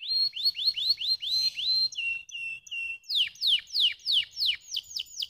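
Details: A canary delivers song meant to spur lazy birds: rising whistled notes, a few flat lower tones, then loud, regular downslurred whistles at about three per second.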